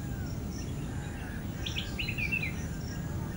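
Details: A flame-throated bulbul at End Point, Manipal, calls with a brief, quick burst of chirpy, slightly warbling notes lasting under a second, set against a steady low background hum.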